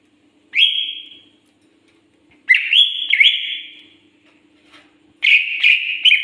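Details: Greater green leafbird, called cucak ijo in Indonesia, singing in separate bouts of rich whistles, some sliding down then back up, with a faint low hum beneath.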